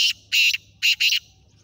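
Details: Young male black francolin, four months old, giving a harsh, grating call of three loud buzzy bursts, the last two close together.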